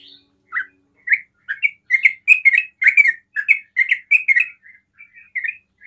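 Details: Sooty-headed bulbul, rapid 'ropel' singer known for prompting other bulbuls to call. Scattered chirps build into a quick chattering run of slurred notes, then taper into softer, spaced calls.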